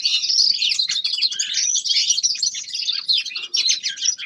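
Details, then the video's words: Steady, dense twittering and warbling from a young male common linnet practising its song in winter. Notes are packed tightly into one continuous high chatter. "Распевка Реполовов песня Carduelis cannabina birdsong"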